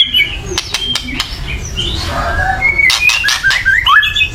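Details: White-rumped shama giving a loud, agitated chatter used to provoke other birds into singing; scattered sharp clicks and brief whistled notes, then a run of rising and falling whistled phrases near the end, over low background rumble.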